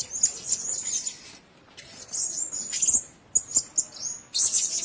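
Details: Blue-crowned hanging parrot at a nest: high thin squeals and chirping bursts, separated by pauses of about half a second, plus soft clicks.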